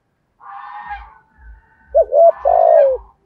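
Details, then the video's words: Spotted dove cooing in the 'thổ' voice style after a soft buzzy murmur: a curled short note, a level hoot, then a long rough croo sloping downward, over a steady low thumping. "Tiếng chim cu gáy giọng thổ thúc gù giọng hay rất hợp bổi"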